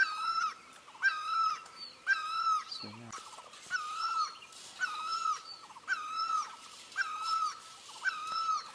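Great barbet giving loud, mournful, wailing piou notes, about one per second, rising then holding steady, with a brief low sound midway.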